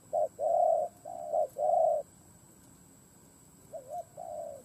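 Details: Spotted dove kept as a decoy, cooing to provoke wild doves: a short coo, then longer mellow drawn coos in a phrase, a pause, and a softer wavering coo with another long note, quiet background hiss.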